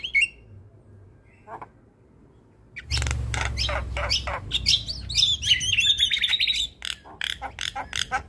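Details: Javan myna in energetic song, used as therapy for mynas that stopped singing: scattered whistles, then rapid chattering notes and wavering high trills over a steady low hum.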